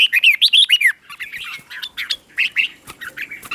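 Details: Red-whiskered bulbul morning song for training, in the 'ché' style: a rapid run of loud, bright warbled notes rising and falling for about a second, then softer scattered chirps and twitters.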